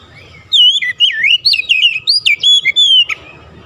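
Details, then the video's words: Shama song as a trigger for other shamas: bright whistled phrase of rapid wavy notes and clipped chirps lasting about two and a half seconds, then quiet hum. "APAPUN JENIS KACER PASTI TERPANCING LANGSUNG IKUT GACOR"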